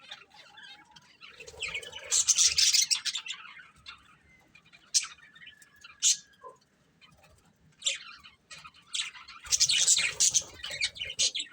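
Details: Breeding pair of budgerigars with two bursts of noisy, crowded chatter separated by quieter stretches holding single sharp chirps and a thin held whistle.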